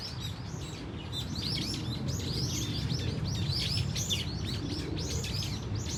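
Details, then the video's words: Brown-eared Bulbuls calling as a flock in Dunsan Grand Park; busy shrill chirps and downslurred squeals overlap rapidly above a strong low-pitched background hum that grows louder. "직박구리 무리 다양한 울음소리 Brown-eared Bulbul sound of crying"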